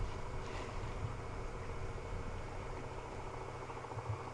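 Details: Low engine rumble and wind noise with no animal calls.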